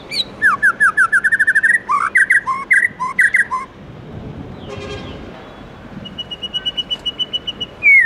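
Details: Morning song of a White-rumped shama in the 'forest voice' style: rapid rising whistled notes and slurred phrases, a short noisy pause, then a thin steady trill of high repeated notes.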